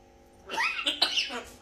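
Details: Grey parrot (Psittacus erithacus), cough mimicry.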